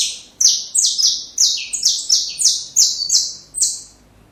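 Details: Song of a saffron finch, used to teach young birds, delivered as a fast run of loud, high chirps, each dropping in pitch, about three per second with no pauses.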